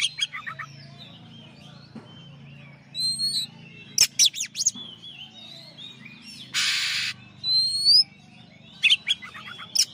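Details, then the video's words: Oriental magpie-robin champion bird's master song: scattered sharp chips and bright upslurred whistles, with a harsh buzzy rasp near the end. Soft background whistling from other birds runs throughout. "masteran suara kacer juara"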